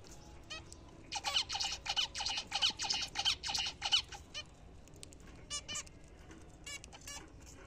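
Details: Caged zebra finches feeding on apple and seed in the morning: a rapid run of loud nasal, trumpet-like beeps, about five in two seconds, followed by scattered softer calls.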